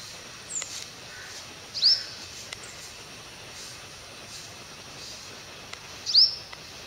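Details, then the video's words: At 5:30 AM a sunbird gives two clear, high-pitched upward-sweeping notes several seconds apart, with faint clicks and background noise between them. "தேன்சிட்டின் சங்கீதம் | The Voice of Sunbird"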